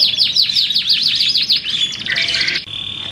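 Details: Darah Biru canary delivering a dense, loud trilling song of rapid down-slurred notes, shifting into a buzzy rolling passage and ending on a sustained high steady whistle.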